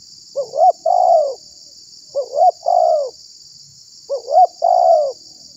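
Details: Spotted dove call for luring wild doves and provoking others: three evenly spaced phrases about two seconds apart, each a low note, a sharper rising note and a long, softly falling coo; steady high-pitched hiss throughout.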